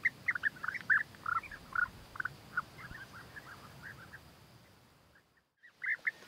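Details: European bee-eater calls during courtship feeding, where the male offers food to the female; a busy cluster of purring, rolled notes that thins out and fades, then two more calls at the end.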